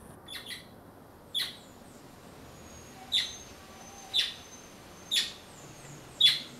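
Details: A blackbird that came to look for persimmons and ate passion fruit when none were ripe gives sharp, sparse chip notes about once a second in a quiet setting, preceded by two faint softer notes.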